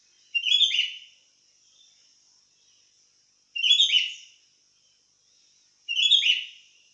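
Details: Sooty-headed bulbul in full song, giving three quick, bubbly phrases of chirped notes that fall in pitch, spaced roughly two and a half seconds apart. A constant thin, high-pitched hiss persists in the background.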